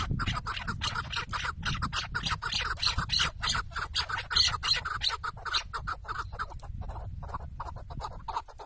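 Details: Tethered chukar partridge used as a decoy on a hunt in Şırnak, Turkey, calls in rapid, harsh, rattling chuk notes, several per second, fairly loud, with faint low noise behind.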